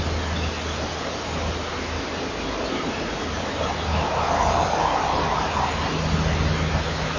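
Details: Continuous broadband hiss over a low steady hum, with no animal calls.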